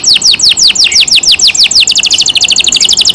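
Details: Loud song of a canary in care: rapidly repeated downward-sweeping whistles, around five per second, turning into a faster, denser high trill.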